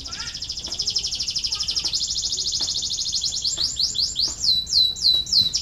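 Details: Canary singing to rouse lazy canaries into song: a rapid pulsing trill that speeds up and swells, then turns into a run of looping, rising-and-falling whistled notes.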